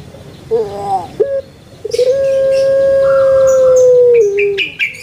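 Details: Pet puter pelung, a Barbary dove kept for its voice, gives a short wavering note, a brief clipped sound, then a very long, even, hollow coo held for over two seconds before it drops, with small-bird chirping around it.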